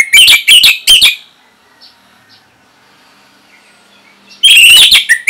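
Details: Kept orange-headed thrush from Singaraja, Bali, its song used to train other birds: three loud warbled bursts, a long quiet gap with faint distant notes, then another rapid run of varied whistles.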